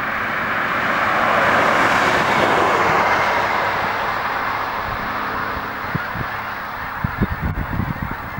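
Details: Hundreds of snow geese coming in to land at dusk in far southeast Dallas County call at once, a continuous roaring wash of overlapping nasal yelps with few single voices standing out; a few low thumps near the end.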